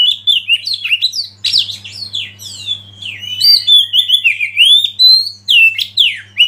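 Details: Lead Oriental magpie-robin that provokes others to sing, delivering continuous varied song of clear rising and falling whistles, rapid twitters and long slurred notes, loud and unbroken throughout.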